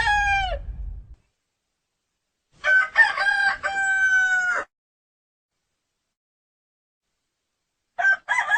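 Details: Rooster crowing: the tail of one crow opens, then a full harmonic crow of about two seconds with a stepped, drawn-out ending, and after a long silence another crow begins.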